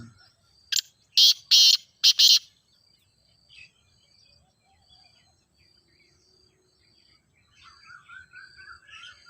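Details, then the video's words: Ghogha teetar (grey francolin) calling: four short, grating, high bursts close together, then a long quiet stretch with soft twittering from other birds near the end. "Teetar Voice for Calling"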